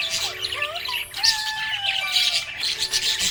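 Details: Happy budgerigar chirping: a dense, continuous chatter of quick high twitters and squeaky notes, with a few sliding whistled tones lower down and steady background music throughout.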